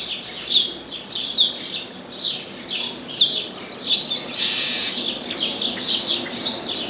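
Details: A chestnut-capped blackbird singing from an orange tree: steady run of short down-slurred whistles, interrupted by a long harsh buzzing note before the whistles resume.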